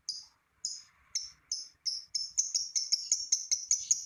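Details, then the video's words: Lovebird call from a recording meant to prompt other lovebirds to sing: sharp high chips, first spaced about half a second apart, then quickening into a rapid series. "lovebird ngekek panjang !! pancingan lovebird lain ikut bunyi"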